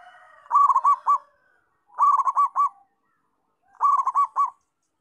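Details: Local zebra dove singing vigorously: three bubbling, rhythmic cooing phrases of about five quick notes each, mid-pitched with a clipped, stuttering beat, repeated roughly every two seconds with silent gaps between.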